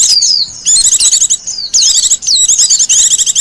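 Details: Wild Japanese white-eye delivering short, very high jumbled twitters and descending whistled slurs, several quick phrases in succession, a song used for bird luring and tutoring.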